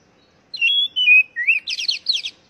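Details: Brief oriental magpie-robin phrase, used to prompt captive birds to sing: a few bright whistled slurs sliding downward, then a quick cluster of rasping buzzy notes.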